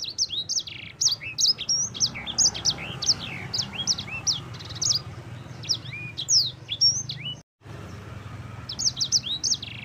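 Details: Lively yellow-fronted canary of the sanger type, used as a tutor recording: a continuous, tumbling stream of high whistled upslurs and downslurs with short buzzy trills, briefly cut by a gap near the end, low background hum.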